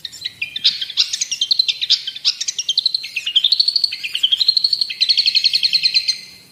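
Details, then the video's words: Varied Long-tailed shrike song: scratchy mixed notes, then rapid trilled runs that step up and down in pitch, each sounding like a fast warbled rattle. "Masteran Dan Pancingan Burung Cendet/Pentet"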